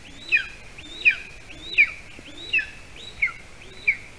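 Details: Evening prey delivery at a golden eagle nest in Latvia, 06-12-20, 8:42 p.m., where the adult male brings a larger bird for a small chick. Thin, high, slurred yelps repeat steadily about every 0.7 seconds over soft background noise.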